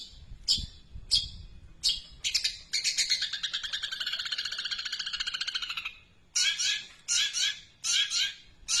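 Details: Long-tailed shrike singing an extended imitation of a sparrow: sharp scattered chirps, then a long, fast, buzzy trill lasting about three seconds, followed by a run of short scratchy chirping phrases.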